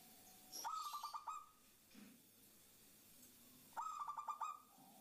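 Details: Female zebra dove calling to a male, a lure sound to set other doves calling: two bursts of fast, stuttering coos a few seconds apart, with a quiet gap between.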